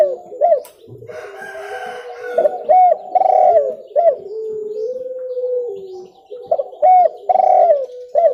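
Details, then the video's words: Spotted dove calls, recorded clearly for use in luring. Repeated bursts of rich, rolling coos, each rising then dipping, alternate with a steady lower hooting tone running beneath. "SUARA TEKUKUR JERNIH COCOK UNTUK PIKAT"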